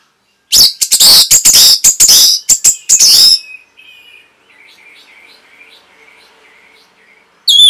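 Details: An orange-headed thrush's song serving as a training recording for caged birds. A dense, three-second stream of loud, sharp, high chirps is followed by gentle, wavering, repeated warbles and a final bright note.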